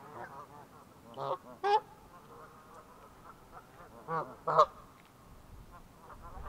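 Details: End-of-winter Canada geese on Pandapas Pond, Virginia: a few loud, clipped honks in two pairs, roughly three seconds apart, with faint chatter of other geese between them.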